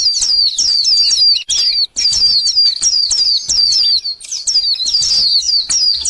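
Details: Rapid run of sharp, high-pitched chips and down-slurred squeaks from a purple sunbird, nearly unbroken, with short pauses near the middle and end.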